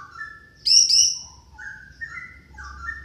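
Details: Orange-headed thrush song used as a lure recording to prompt a reluctant thrush to sing. Varied phrases include clear mid-pitched whistles and a loud, harsh, high double burst, then further short whistled notes.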